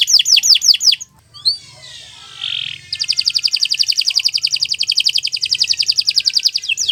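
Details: Canary song for training other birds, long and continuous: a few swooping downward notes, a soft whistled phrase, then a rapid buzzy trill of repeated notes, high-pitched and loud throughout.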